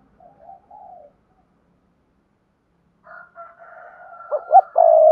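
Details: Spotted dove coo, for training newly caught doves to coo: a soft, low murmur, a pause, then a building phrase of quick clipped notes ending in a loud drawn-out coo.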